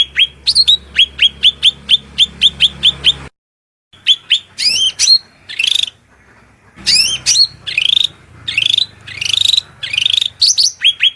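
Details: Shrill cucak rante master song over flowing water: quick repeated high chips, a short silence, then varied upslurred whistles and buzzy rising phrases.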